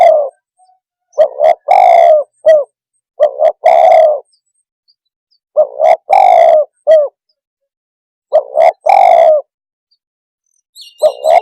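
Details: Spotted dove repeating its provoking call: four phrases of paired short coos, a long coo and a short trailing note, spaced about two seconds apart, with faint high chirps near the end.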